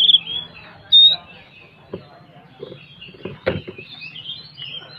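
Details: Oriental magpie-robin (kacer, Tretes type) singing in a lively, open 'ngeplong gacor ngobra' style: scattered high whistled phrases and short bright notes, two sharp whistles near the start, then softer warbled fragments over a low steady hum.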